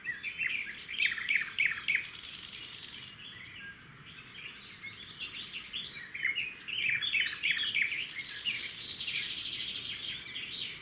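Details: At a red-backed shrike nest by a roadside in the wild, the male brings a grasshopper and the female passes it to the chicks. Rapid clusters of high, downward chirps in two busy bursts, with short hissing rustles.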